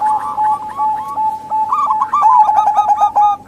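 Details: Zebra doves, local and Bangkok types, calling as a lure to draw other doves and coax reluctant males to sing; several overlapping trilled cooing phrases of short rapid notes over a steady mid-pitched tone, fast and irregular.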